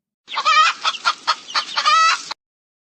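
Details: A hen (domestic chicken, Gallus gallus domesticus) clucks: a drawn-out nasal note, four quick harsh clucks, then another long note, all within about two seconds.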